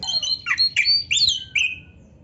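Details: Oriental magpie-robin, recorded to make rival birds sing: a short series of clear slurred whistles and sharp chips, some sliding down and some rising, quieter than the rest.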